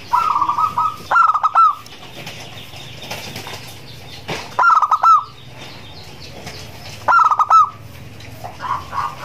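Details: A zebra dove, presented as a champion singer's voice used as a training lure, gives soft, rolling, staccato coos in short phrases about every three seconds, with sharp clicking bursts starting each phrase.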